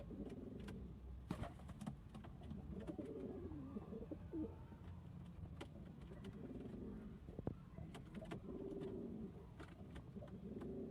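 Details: Several kept pigeons cooing in a loft, deep rolling coos overlapping in repeated bouts across the whole stretch, with intermittent clicks, taps and a low background rumble.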